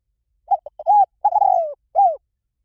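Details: Recording of a spotted dove meant to lure wild doves: a few quick stuttering notes lead into a level coo, a long falling coo and a final arched note, with silence afterwards.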